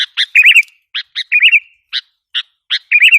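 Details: Short sooty-headed bulbul lure sequence for provoking wild bulbuls: crisp single chips alternating with rolling, wavering gurgled phrases, three cycles in quick order.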